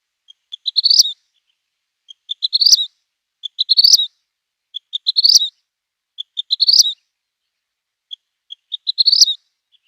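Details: Vermilion Flycatcher song, possibly recorded at Bolsa Chica: six high phrases, each a few spaced ticking notes that speed up into a quick tinkling trill, repeated about every one and a half seconds.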